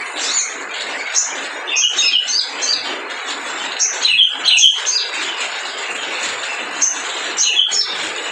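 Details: Spiderhunter in full song, played to provoke lazy birds into calling; sharp, piercing chirps and short whistled phrases in irregular clusters, separated by brief gaps, over a steady hissing background.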